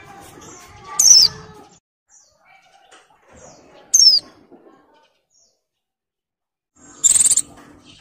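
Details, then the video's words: A moulting female Oriental white-eye in breeding condition calls for males in ngalas style. Two thin falling whistles about three seconds apart, then a buzzier, trilled high burst, over a mostly quiet background. "SUARA PLECI BIRAHI GACOR NGALAS"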